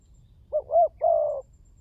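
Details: One clear spotted dove coo phrase used to stimulate calling: two short wavering notes rising and dipping, then a longer steady husky coo, close and clean over quiet low background noise.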